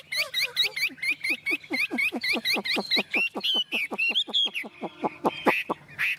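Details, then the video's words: Tame caged Chinese hwamei delivering rapid, evenly repeated whistled notes, about five per second, each a sharp hooked phrase, ending with louder slurred calls. "Chim Họa Mi thuần bóng bộ quá đẹp"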